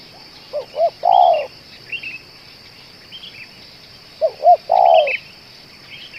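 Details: Spotted dove, a bird said to keep calling for two hours and suited as a lure, gives two cooing phrases: two short hooked notes, then a long purring coo. Thin high chirps from other small birds sound faintly behind.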